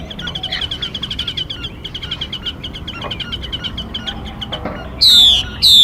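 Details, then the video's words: Female Mi bird used as a trapping lure: a fast, fairly soft stream of high, clipped chattering notes, ending with two loud, harsh, descending calls. "Tiếng Mi Mái. Tiếng chim kích bổi, kích trống, luyện giọng bổi"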